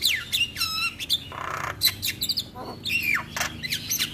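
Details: Morning starling song for training birds to sing: loud descending whistles and rough squawks, a burst of rasping noise midway, then more falling whistled notes and clicks.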